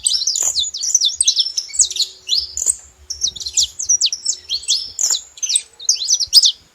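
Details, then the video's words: Saffron finch sounding in two lively bursts of high, zigzagging chirps separated by a short quiet gap. "Canário da terra fazendo barulho"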